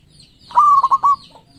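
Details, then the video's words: A single loud rolling phrase from a lively local zebra dove with thirteen tail feathers: a cooed note breaking into three or four quick throbbing pulses, over faint high chirping from other birds. "Perkutut Lokal Gacor"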